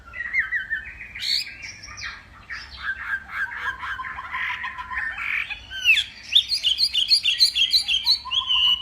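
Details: Northwest Vietnamese hwamei singing in a contest during morning practice, mixing harsh squawky notes, quick stuttered runs and bright whistles, then closing with a fast, rhythmic burst of ringing repeated phrases.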